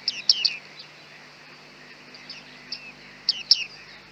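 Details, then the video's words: Bearded reedlings heard through heavy fog with a Panasonic G9 and 100-400 lens: short groups of piercing, descending pings, a lull, then another pair of loud notes. "bearded tits"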